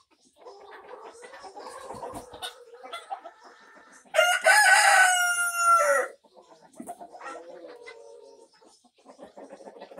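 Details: Mixed flock of barn chickens of many breeds, including a Black Australorp rooster, recorded May 9, 2024: soft clucks and murmurs, then a loud, harsh crow lasting about two seconds, then more clucking.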